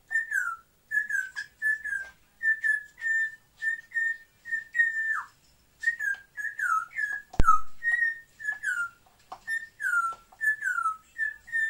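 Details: Two pet African grey parrots kept indoors; a long steady series of short whistled notes, each flat then dropping at the end, repeated roughly every half second, with a sharp knock midway.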